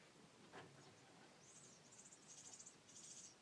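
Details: Nestlings in a nest behind a window shutter in Numazu, Shizuoka, Japan, 10 May 2014, begging as a parent returns to feed: thin, very high, buzzy chirps in rapid bursts about every half second after a single soft knock.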